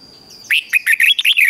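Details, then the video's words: Red-whiskered bulbul singing a single quick phrase of clear, slurred whistles that rise and fall in rapid succession, about seven notes in just over a second, played to coax other bulbuls into song. "Luyện cho chào mào hót sáng | Luyện giọng chào mào hót hay kích chào mào yếu lửa ra âm"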